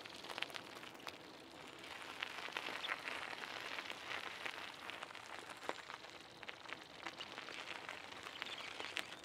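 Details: Crackling, rain-like rustling with scattered sharp clicks, and no clear animal calls.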